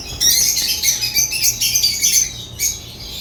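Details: Dense, shrill chatter from African lovebirds, continuous high squeaks and buzzy chirps overlapping with little pause, ending in a brief final burst.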